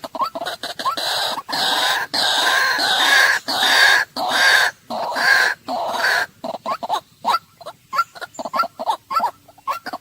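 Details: White-breasted waterhen in a loud, harsh outburst: long rasping, roaring phrases, then a quicker run of short croaks toward the end.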